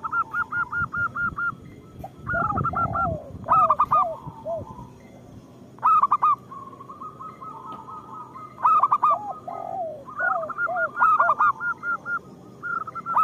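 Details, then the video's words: Zebra doves of a local strain singing, used to lure lazy singers; a run of even cooing notes, then repeated bursts of fast coos alternating with lower bending coos and sustained rolling phrases. "Perkutut lokal gacor Suara Pancingan Paling Disukai Burung Perkutut"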